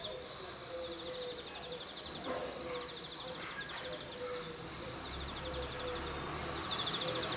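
A European greenfinch gives rapid twittering trills at a high pitch, several a second, with a wheezy note near the end; a faint low whistle sounds underneath.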